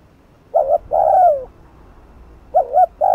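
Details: Spotted dove cooing in the rapid 'thúc gù' style used to rouse decoy birds: one full phrase of a clipped two-part note and a long descending hollow coo, with the next phrase beginning at the end.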